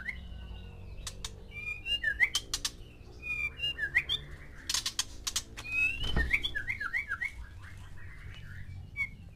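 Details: White-rumped shama male caged with six females for breeding: scattered clicks and varied whistled phrases, with a quick string of descending whistled notes near the end, low hum behind.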